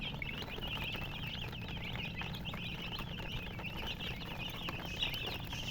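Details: A crowd of chicks peeping constantly, high short chirps piling over one another in an unbroken chatter above a low background rumble.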